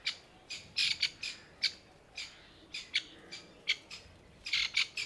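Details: Mother grey francolin in summer heat, anxious over newly hatched chicks huddled around her, utters rapid harsh rasping notes, often paired or tripled, repeated steadily through the recording with little background sound.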